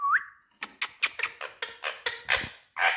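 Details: Indian ringneck parakeet, a green parrot in India, starting with a short rising whistle, then a quick run of harsh, clipped, speech-like syllables about one every quarter second.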